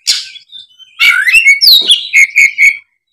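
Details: Oriental magpie-robin singing a fighting song: loud downslurred whistle, then a burst of rich warbled notes and three clear repeated whistles near the end.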